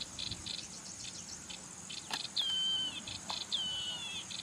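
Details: Two loud, pure whistled phrases from a yellow-eyed babbler, each starting high and easing downward, about a second apart. Buzzy pulsed insect calls and a sharp click come before them, over a steady high insect whine.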